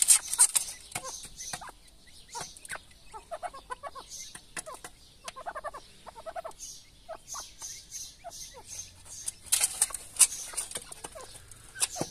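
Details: Mother grey partridge feeding her chicks gives soft low clucks in short bursts, with thin high peeps from the chicks and frequent sharp pecking clicks.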